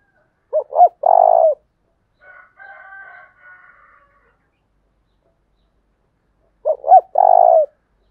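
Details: Spotted dove kept as a lure, singing 'thúc bổi' phrases in a 'thổ đồng' voice: a coo-coo-croo phrase, a softer drawn-out harmonic call in between, then the same three-part coo repeated about six seconds later.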